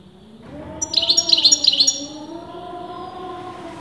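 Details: European goldfinch whose sex breeders argue over, producing a short burst of quick high tinkling trills, while a steady, wavering low tone drones underneath throughout.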